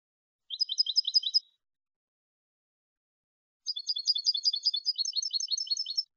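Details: European goldfinch in clean Malagueño style, recorded for educating goldfinches: a short burst of quick, high, tinkling repeated notes, then after a pause a longer, rolling sequence of rapid chirps and buzzy trills.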